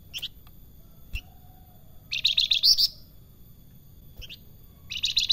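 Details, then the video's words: Salakan song heard more quietly: a burst of fast, high trilled notes, scattered clicks and faint knocks, then another trill starting at the end, from an actively singing bird. "Salakan Gacor Besetane dan sulingan merdu pisan"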